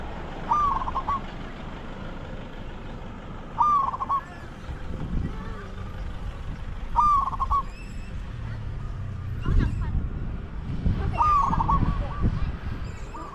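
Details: Spotted dove cooing as a decoy to lure wild doves in Thailand: short trilled coos with a bent, wavering ending repeated roughly every three seconds, over steady low background rumble and occasional knocks.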